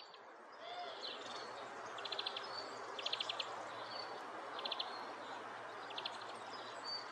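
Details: European pied flycatcher (Ficedula hypoleuca) giving short bursts of quick, high ticking notes about every one to two seconds, with thin whistles between, over a steady hiss of background noise.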